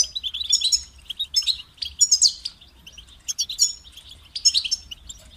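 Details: European goldfinch in captivity sings short bursts of tinkling, twittering notes with buzzy trills, each burst ending in a pause, about forty phrases a minute at an uneven pace; light low hum.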